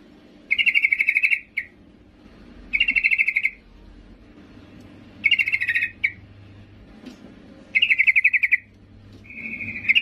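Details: A female yellow-vented bulbul calls for the male with five bursts of rapid, high, chattering trills spaced about two seconds apart, some ending in a brief clipped note, with a faint background hum.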